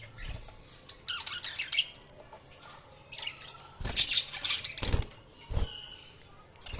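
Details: Budgerigars chirping in short bursts of squeaky, chattering warbles, broken by several dull thumps and flutters like wings or movement.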